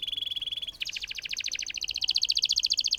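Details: A canary in song with a long roll, played to stimulate silent canaries: a brief steady buzzy note gives way to a rapid high trill that grows louder and sharper, its pulses fast and evenly spaced throughout.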